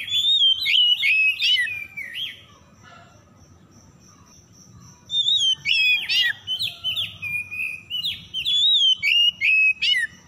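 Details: Lure song of an oriental magpie-robin (kacer), meant to restart singing in stressed birds: an energetic warbled run of whistles and buzzy notes, a two-second lull with a faint steady high tone, then a longer lively phrase of rapid chips and slurred whistles.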